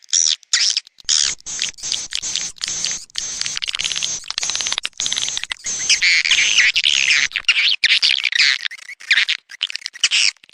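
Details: Anak Muda swiftlet lure call meant to attract the birds: continuous shrill chattering made of rapid buzzy chirps, with a denser, more warbling stretch in the middle and short pauses throughout.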